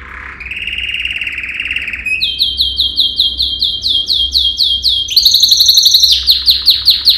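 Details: Yellow canary, Serinus canaria, a male singing a training song meant to teach other canaries. A long buzzy trill gives way to rapid rising slurred notes repeated about four per second, then a higher fast rolling phrase, with a faint low hum underneath.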